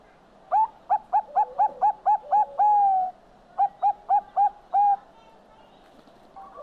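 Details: Zebra dove, called perkutut bangkok, singing: two phrases of quick, rising cooing notes, the first of seven notes ending in a long held coo, the second of four notes closing with a longer coo.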